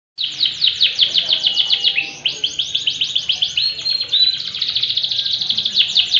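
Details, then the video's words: Yellow canary in full, vigorous song: a long, unbroken run of rapid high trills, shifting between rolling, buzzy and clear whistled phrases, with no other sounds. "kenari bon kuning gacor"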